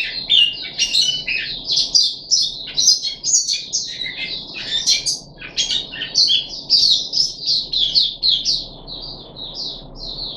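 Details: A puff-backed bulbul, third day of deworming, 14 July 2021, pours out a continuous high warbling stream of quick chirps and slurred notes with almost no pauses.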